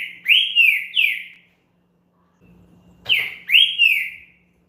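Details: Champion green-winged saltator song, played to warm up and stimulate another saltator: two bursts of rich, loud whistled phrases, each of about three slurred, falling notes, separated by a pause of roughly 1.5 seconds. A low steady hum runs underneath.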